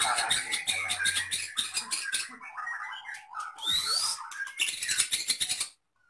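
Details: White-rumped shama, Medan type, kept in a cage and singing imitations of lovebird, canary and cililin; harsh scratchy chatter and rapid clicking phrases, a quiet spell, then a rising whistle and more loud chatter.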